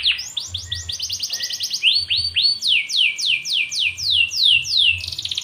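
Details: Canary song used to stimulate other canaries to sing: loud, clear series of fast downward-sweeping whistles repeated several times a second, changing pitch between phrases, ending in a buzzy rapid trill; low hum underneath.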